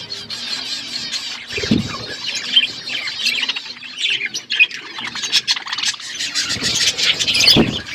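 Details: Budgies feeding together give a constant scratchy chatter of harsh squawks and chirps, with a couple of dull low thumps, likely from the birds moving about.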